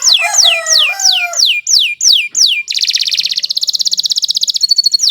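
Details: Kenari Nusantara canary, long continuous song used for tutoring birds: a run of loud falling whistles roughly every third of a second with lower side notes, then a quick, dense pulsed trill ending in a short chirp.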